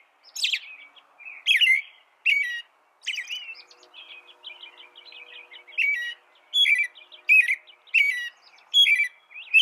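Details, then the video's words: American robin song. Repeated whistled phrases with high squeaky notes run through the recording, pause briefly for a softer stretch of fainter twittering, then resume at a quick steady pace. "Suara burung american robin"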